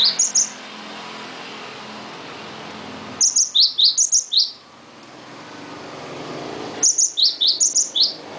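Cinereous tit singing short bursts of five or six high, sharp, slightly falling notes, repeated every three to four seconds over a faint low hum.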